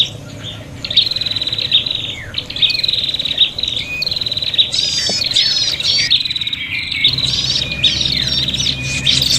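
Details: Agitated, fighting prinia calls used to lure birds: high buzzy trills, sharp descending squeaks and fast chattering phrases, growing denser toward the end, with a low background hum.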